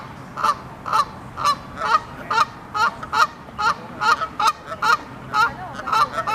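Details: Canada geese honk extremely loudly before taking off, in a steady series of loud, nasal, two-toned calls, roughly two each second, over a quiet background.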